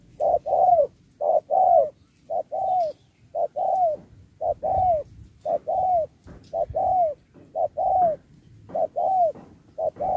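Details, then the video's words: Competing spotted dove, 2024, performing the 'Thúc kèm Bo' song style with changing rounds: strong paired and single coos that bend downward, repeated roughly every second in an uneven rhythm. "Bài lối Thúc kèm Bo tráo trở nước như chim ngoại"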